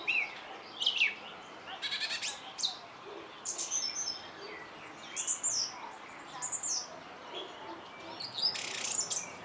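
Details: Song thrush in song, giving varied phrases of clear whistled notes, sharp clicks and rattling trills, separated by short pauses, with faint outdoor ambience behind.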